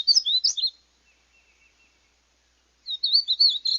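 A Painted Bunting sings two bursts of high, sweet, rapidly tumbling warbled notes about three seconds apart. The gap between them is nearly silent.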